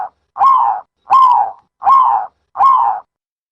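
A dove gives four mid-pitched, slightly hoarse cooing notes, each about half a second long and evenly spaced, with quiet between them.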